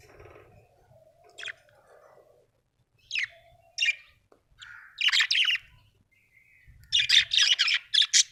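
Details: Happy budgie chirping in a lively string: scattered sharp chirps, then dense buzzy warbling bursts, ending in a rapid series of loud raspy chirps.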